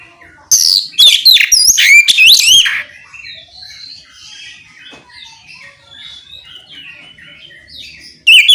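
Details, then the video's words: Oriental magpie-robin in ngeplong song, used to lure other magpie-robins into singing back: a two-second burst of loud, sweeping whistled notes and sharp chirps, then faint distant twittering, with another loud note at the end. "Suara kicau kacer ngeplong memancing kacer apasaja ikut bunyi nyaut ngeplong gacor!"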